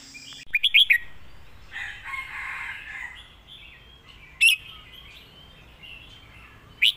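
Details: Red-whiskered bulbul competition-bird master song (phleng mae bot): a loud burst of quick, bright, warbled notes opens, then a soft twittering background of other birds, and short whistled phrases return near the end.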